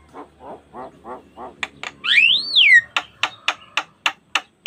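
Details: Asian pied starling song played as a lure for training starlings; a run of five nasal chatters, then a loud rising-falling whistle, followed by rapid sharp clicking notes about twice per second.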